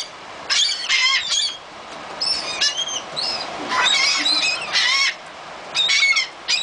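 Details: Seagulls crowding to be fed on the beach at Gulf Shores, Alabama, December 15, 2007, giving loud bursts of harsh, nasal squawks and mewing cries in overlapping groups, with breezy background hiss between bursts.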